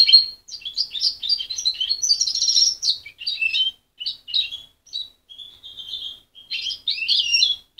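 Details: Young goldfinch hybrid, raised by its mother and separated at 23 days, still muddling its song. High twittering phrases with buzzy trills and short pauses, then a steadier whistled note near the middle before more jumbled chirps.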